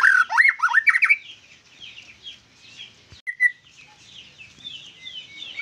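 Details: White-rumped shama singing vigorously: a loud burst of quick, rising and falling whistled notes at the start, then softer, scattered chirps and a single sharp note near the middle against a quiet background.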